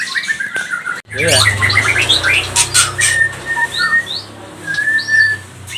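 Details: White-rumped shama of the pastol type singing as a lure to agitate other shamas: twittering notes give way to steady mid-pitched whistles and upward-flicked high notes, over a constant low humming background.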